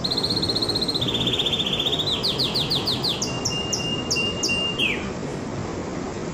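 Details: Canary singing a rolling song: a steady high trill, then a lower trill, then a fast series of rising and falling repeated notes and a long drawn whistle that drops at the end. Constant background hiss.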